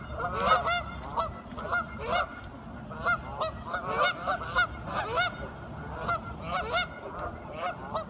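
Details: Curious ducks talking in a group, loud nasal honks and squawks bursting in clusters roughly every half second to second, several birds overlapping, with a low background rumble.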